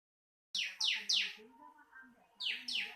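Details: Bar-winged prinia (ciblek) song for training other birds: a run of three sharp, downslurred high notes, a pause over faint low murmuring, then two more matching notes.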